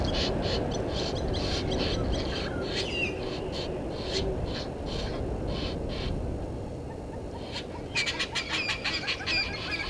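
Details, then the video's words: Egyptian geese in a dispute with intruder geese at a waterhole dam on a game reserve in the Sabi Sand Wildtuin, South Africa, at 17:08 on 10/04/21, captured by a live waterhole camera. Hoarse calls repeat rapidly, about two or three a second, then quieten. "Egyptian Geese having dispute with intruder Geese"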